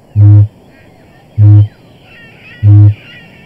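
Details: A male kakapo named Bill booms at night on his mating arena to attract a mate, giving deep, resonant, hollow notes, three in a row about every one and a quarter seconds, with faint higher sounds behind. He repeats this song 10,000 times a night for three months.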